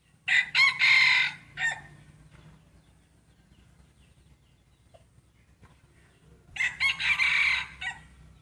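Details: Roosters in a crowing contest between breeding cocks: a loud, harsh, pulsing crow of about a second and a half, several quiet seconds with faint clicks, then a second similar crow answers near the end.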